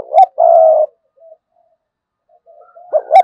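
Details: Decoy spotted dove giving 'sa gù' and 'thúc bổi' coos: a sharp note, then a steady half-second coo, a long quiet stretch with faint murmurs, and another pair of clipped notes.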